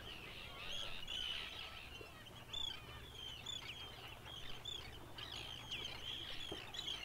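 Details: In Iceland, where it nests rarely, a Red Phalarope gives thin, high chirps and brief clear whistled notes, repeated irregularly over several seconds against a low background rumble.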